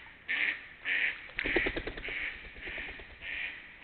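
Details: Ducks recorded between 28 March and 3 April 2021, giving loud, nasal quacks in uneven bursts, some long and drawn out, others short and clipped, about two per second, over a steady background hiss.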